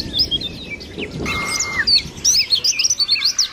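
Mountain white-eye giving a fast, high twittering song of thin chirps and slurred whistles, with a brief steady whistled note midway.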